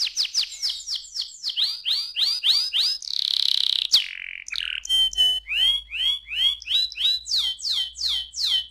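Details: Young canary song: series of repeated downward-swept whistles, a short noisy rasp, then more rhythmic swept chirps at a steady quick pace.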